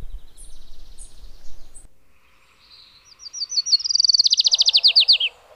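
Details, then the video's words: Adelaide's warbler song: after faint chips and a quiet pause, a high trill accelerates and strengthens into loud, evenly spaced notes dropping slightly in pitch, with softer bird calls beneath. "O canto da Mariquita Portoriquenha"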